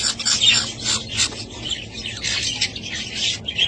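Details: Pet budgerigars kept at home give continuous scratchy chirps and squawks, several birds overlapping in a busy chatter.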